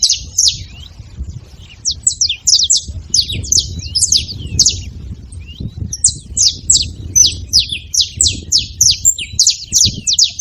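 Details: Free saffron finches in a hedge making noise: long bouts of high, sharp chirps, irregular at first, then a steady quick pulse of downward-slurred notes, with a low murmuring background.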